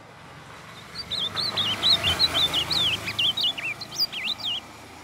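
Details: Song of a young Northeastern Brazilian blue-black grosbeak, used to train and warm up birds: a rapid string of high, twisting whistled notes, some dropping sharply, over a steady low background hiss.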